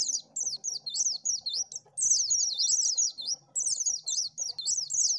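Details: Oriental white-eye song used to lure birds: rapid, very high twittering warble of zigzag rising and falling notes in long bursts broken by brief pauses, faint low background murmur.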